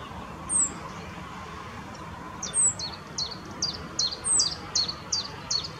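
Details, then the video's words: Male rock bunting holding a grasshopper in the Moselle valley at Valwig, on the Apolloweg path: thin, very high, downslurred 'tsi' notes alongside a quick run of lower chirps, about three a second, over quiet background noise. "Zippammer. Männchen mit Heuschrecke."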